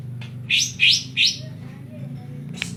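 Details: Three quick buzzy upswept notes in a row, then quieter faint whistles, from a Banyuwangi greater green leafbird singing its kapas tembak fill, with a low steady hum beneath.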